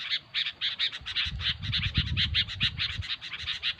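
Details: Sooty-headed bulbul calling busily, with quick, harsh chattering notes in an even rhythm of about five per second and a soft low rumble in the middle section.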